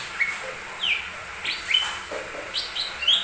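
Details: Lesser green leafbird lure song for provoking other songbirds: sparse thin whistles, some descending slurs and brief trills, separated by short gaps, over light background hiss.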